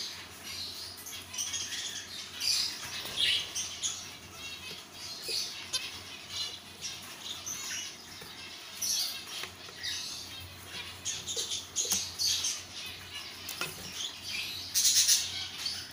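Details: An adult pair of Isabel-mutation zebra finches, over seven months old and ready to breed, give short, nasal, high chirps and twittering phrases, with wing flutters and light pattering between.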